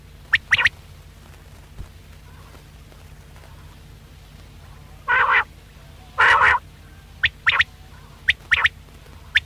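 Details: Quail calling, used as a hunting lure. Brief sharp notes in pairs open the clip, two longer rough buzzy bursts sound in the middle, then more clipped paired notes end it. A soft steady low hum runs beneath.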